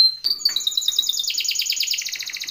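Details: Timbrado canary training song: short whistle, then a quick run of repeated chirping syllables building into a steady rolling trill.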